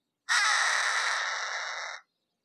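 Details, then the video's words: A Harris's hawk gives one long, harsh, grating scream lasting nearly two seconds, rasping and steady before it cuts off, with no other sounds. "Harris's Hawk Call - Harris's Hawk Sound - Harris's Hawk Song - Harris's Hawk Scream - Screech-Voice"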